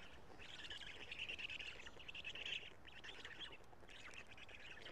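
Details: Black stork nestlings at Karula on 3 June 2017, being fed by the male. Raspy, squeaky chatter in four bursts, the loudest around the middle, then quieter calls.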